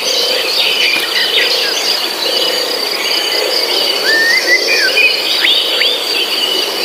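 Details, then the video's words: Birds singing in a forest setting: a few clear whistled phrases, one rising and slurred, another a short upward sweep, heard over a dense, steady buzzing insect chorus. "suara kicau burung"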